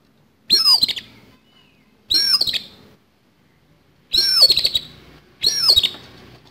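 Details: Kacer, or oriental magpie-robin, in aggressive fighting song with rough fill-in phrases for training caged birds: four loud scratchy bursts, each topped by a high looping whistle and a falling slur, with gaps of one to two seconds.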